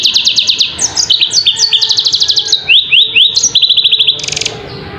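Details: Yellow-fronted canary song made of crisp repeated notes in short trilled bursts. Each burst shifts pitch, and the song ends in a dense buzzy flourish.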